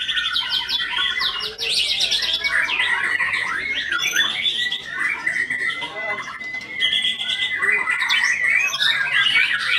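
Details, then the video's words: White-rumped shama pouring out a busy, high song of rapid chirps, short trills and a drawn-out steady whistle near the middle, with scratchy notes layered in and soft background voices. "IN ACTION MURAI BATU SAKTI"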